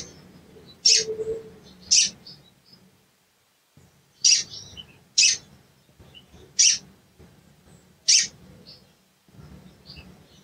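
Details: Sooty-headed bulbul calls used as a lure to provoke a silent bird into singing: sharp, explosive chips repeated about every one to two seconds, with a long pause in the middle.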